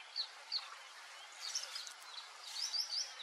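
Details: Wild White-faced whistling duck in the Pantanal giving thin, high whistled notes, single at first, then a quick run of three, over a steady hiss of background noise.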